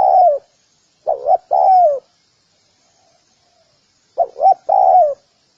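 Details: Spotted dove calling: the tail of one long falling coo, then two full phrases of two short coos and a long descending coo, separated by a pause of over two seconds.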